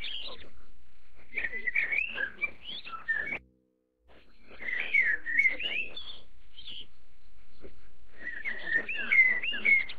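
A Chinese Blackbird sings rich, varied phrases of warbled whistles and chatter, with a brief pause before the song resumes over a faint low rumble.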